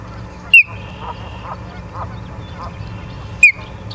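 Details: Osprey at a nest in Charlo, Montana, on a September evening, two short sharp whistled notes about three seconds apart over steady hum and faint background noise.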